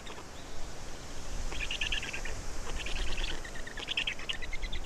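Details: At a Black stork nest in Estonia, feeding time on 27 May 2019 at 10:39: bursts of rapid, rattling, squeaky pulsed calls come in repeated clusters over a low rumbling background.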